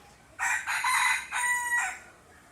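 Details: Rooster crowing in competition, answering other roosters: a fairly soft cock-a-doodle-doo of three harsh, harmonic segments over about one and a half seconds, the middle part longest.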